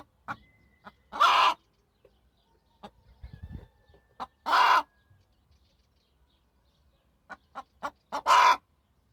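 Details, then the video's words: Hen voicing three loud, rasping squawks spread across the recording, with scattered short clucks and a brief low rustle between them. "صوت الدجاجة"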